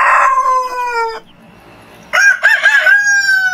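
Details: Rooster crowing at morning time: a sustained harmonic crow tails off downward, a quiet gap follows, then a second crow with wavering, pulsing notes settles into a long, steady note.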